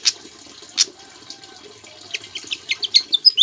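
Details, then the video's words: Javan flycatcher in full song with Ciblek imitations: two sharp high notes, a pause, then a rapid series of short, descending chirps and whistles that grows louder toward the end, with a steady watery hiss behind. "BURUNG SIKATAN JAWA GACOR ISIAN CIBLEK"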